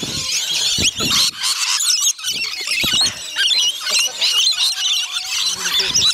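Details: Feeding frenzy of rainbow lorikeets on Magnetic Island near Townsville, Queensland: a loud mass of piercing screeches and squawks from many birds, with clicks and knocks from the feeding area.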